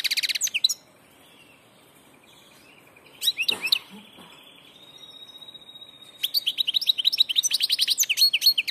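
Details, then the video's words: Passage goldfinch in full song: dense, fast twittering trills, a few scattered chirps and a brief rustle, then a drawn-out thin whistle leading into a lively run of rapidly repeated liquid, metallic notes. "jilguero del paso"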